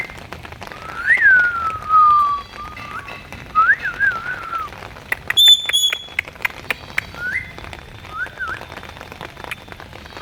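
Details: Indian ringneck parakeet, a talking parrot enjoying the rain, gives a series of clear whistled notes that rise and then glide down, spaced irregularly over about ten seconds, with a few sharp high chirps and the steady patter of rain behind.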